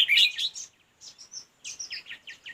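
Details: Red-whiskered bulbul during a fight-trap session: loud tangled chirps open the clip, then after a pause a string of bright, slurred notes repeated in quick succession.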